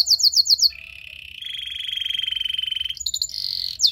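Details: Song of a Belgian singing canary, used to lure and train other canaries: quick descending whistles, then a long even rattling trill, ending in a brief higher trill and a sharp note.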